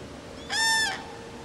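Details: Common crane at Friskalanlahti bay: one short, loud, bugling note about half a second long, rich in stacked harmonics and steady in pitch, over a quiet background hiss.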